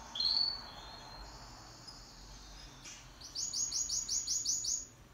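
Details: Pet canary singing in duet; after soft, drawn-out high notes, a quick run of about eight crisp, repeated rising notes forms a bright trill, recorded fairly quietly.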